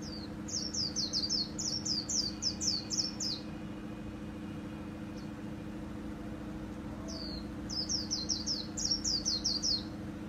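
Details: White-eye in 'líu' song style, from Vietnamese hobbyist keepers' best birds of 2019: a long fast string of about a dozen high, down-slurred whistled notes, a quiet gap, then another run of around eight notes, with low steady hum throughout.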